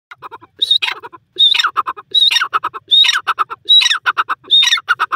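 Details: Grey francolin, known locally as Bhura Teetar, in wild Pakistan: loud repeated phrases about every 0.8 seconds, each opening with a thin high whistle, then a harsh, downward-sweeping squawk and a quick run of clipped, rattling notes.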